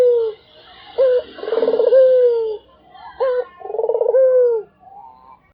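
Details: Barbary dove giving loud repeated coos: a short clipped note, then a long rolling, throaty coo that falls away. Two full phrases sound, with some soft background hiss.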